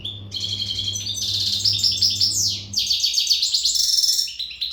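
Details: Western (Maghreb) goldfinch, untutored, in readiness song, delivering a fast, powerful stream of high twittering and tinkling notes, with buzzy rapid trills and a sweeping downward slur, over a steady low electrical hum.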